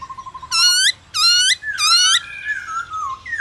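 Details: Black-throated laughingthrush singing, played to stir other caged laughingthrushes into song. A soft run of low even notes gives way to three loud, ringing, harmonic-rich phrases, then gliding whistles that fall away.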